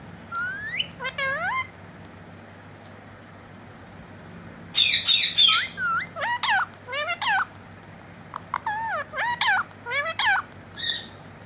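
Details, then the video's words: A pet talking parrot (Alex) says "mitthu mitthu" in short, nasal, rising and falling phrases with one harsh squawk burst midway. Pauses separate the phrases, over a faint steady hum. "Cute parrot talking mitthu mitthu"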